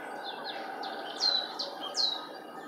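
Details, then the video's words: Marsh tit at Linford Lakes Nature Reserve, Milton Keynes, 25 March 2015, giving a different song type: a looser, irregular string of falling high notes, some quiet and some louder, spaced unevenly over a soft, constant hum. "marsh tit singing (Poecile palustris)"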